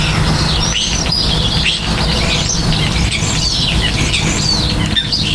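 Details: Common starlings while nesting and nest building: continuous high chattering with quick whistled slurs and clicks, dense and overlapping, against a steady low hum of background noise.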